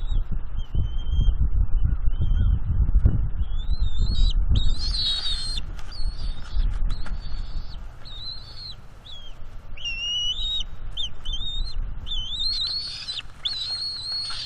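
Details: Mantling juvenile bald eagle at a northeast Florida nest, 19 April 2021, defending fish from a parent. It gives a long run of high, wavering whistled chitters, denser toward the end, with wing flaps and gusty wind.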